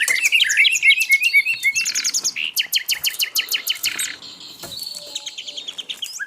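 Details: Asian brown flycatcher song for tutoring caged birds: rapid high twittering and fast repeated chirps, gradually softening towards the end.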